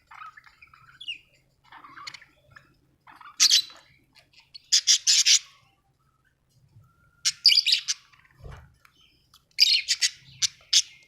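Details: Budgerigar chirping, described as happy: soft scattered notes at first, then loud clusters of sharp, rapidly repeated chirps and squawks, with a low thud near the eighth second.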